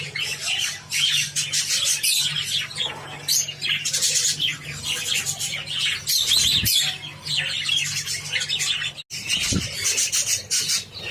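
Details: Java sparrows chatter with a steady stream of high, overlapping chipping and squeaky notes while eating wheat grains, with a low electrical hum underneath.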